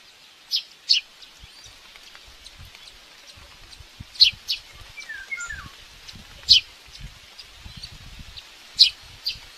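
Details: At a nest in Tiszalök, Hungary, a young common buzzard begs during a morning feeding on May 5, 2024, recorded by a live nest camera. Brief, piercing high peeps come singly or in pairs every couple of seconds over soft rustling background noise.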